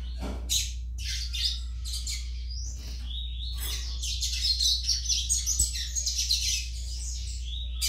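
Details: Juvenile Yellow-bellied Seedeater giving sharp chips and short buzzy phrases, then a sustained rapid high twittering warble from about four seconds on, with a constant low hum underneath.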